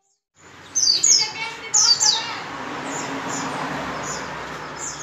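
A white-eye gives very high, thin twittering bursts, two quick rushes about a second apart, then softer scattered notes over steady background hiss.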